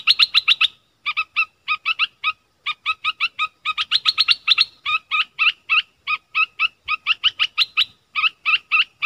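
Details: Streak-eared bulbul delivering rapid clusters of sharp, clipped chirps in quick succession, grouped into short bursts with tiny gaps, sounding busy and insistent.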